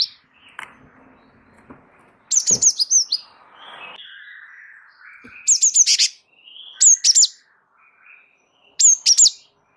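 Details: Java sparrow of the wingko type in lively, rolling song used as a tutor recording: clusters of sharp, very high bell-like chips in quick bursts every two seconds or so, separated by softer lower twittering notes.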